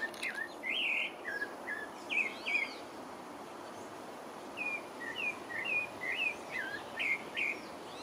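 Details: Pale-breasted thrush singing in French Guiana: two bursts of quick whistled, slurred phrases separated by a short quiet gap, with steady background hiss throughout.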